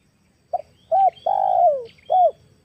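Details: Cooing of a female spotted dove, played to lure wild doves: a short soft note followed by a rounded coo, a drawn-out coo that slides downward, and one more arched coo in a quiet setting.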